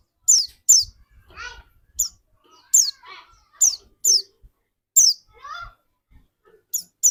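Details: Pleci dakun white-eye singing as a lure for other white-eyes; loud high down-slurred notes repeated every half second to a second, interleaved with softer, lower chattering calls.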